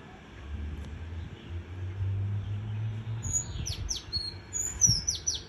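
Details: White-eye singing in the líu choè style: after three seconds of quiet low hum, a burst of very high, thin, sharply slurred chirps and descending whistles packed closely together.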